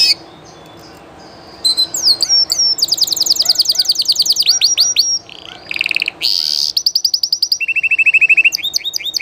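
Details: Spanish Llarguet canary singing live: high whistled notes open, then rapid trills of about 200 notes a minute, interspersed with sliding tones, buzzy rolls and varied phrases in quick succession.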